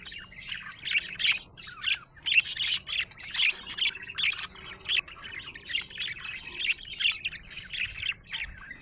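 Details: Budgerigar chirping happily, giving short bright bursts of warbled chatter roughly once a second, each a quick tumble of high twittering notes with soft gaps between.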